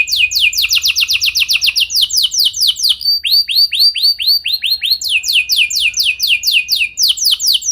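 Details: Canary singing a training song meant to prompt other canaries to sing: fast rolling trills of sharp downslurred notes, a slower run of arched whistles midway, then quick repeated sweeps, loud and continuous.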